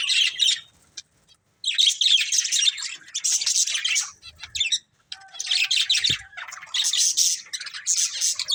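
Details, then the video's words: Breeding pair of budgerigars giving separate bursts of high, buzzy chirping warbles, each about a second long, with quiet spells between them. "Cute Colourful Budgies Chirping Sounds"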